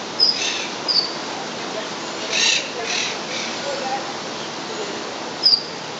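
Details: Monk parakeet, an introduced species living wild in Puerto Rico: a few harsh, scratchy squawks mid-clip amid thin high chirps and steady hiss.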